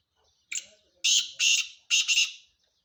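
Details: Loud call of a male black francolin: a brief sharp opening note, then three harsh, buzzy, grating syllables, the last doubled. The background is quiet.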